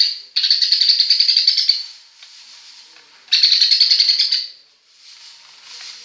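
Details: Greater green leafbird singing a sparrow imitation: two bursts of rapid, dry, chattering chirps at high pitch, each lasting over a second, separated by a short pause with softer chatter trailing off.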